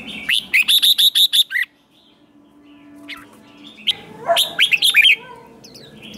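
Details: Wild-caught red-whiskered bulbul in competitive song: a rapid series of about ten crisp, evenly repeated chirps, a quiet spell with a faint low tone, then a bubbling phrase of bright warbled notes.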